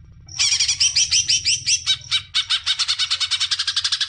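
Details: Loud, unbroken greater green leafbird song meant to encourage young birds: quick upward-slurred whistled notes that give way to a steady, fast pulse of buzzy chips for about four seconds.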